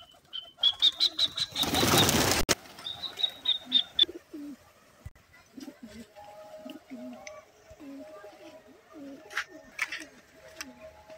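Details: Pigeon coos, low and throaty, repeated in a steady series of short bowed notes through the second half, after a loud burst of wing flapping; a high thin whistle and a steady tone sound early on.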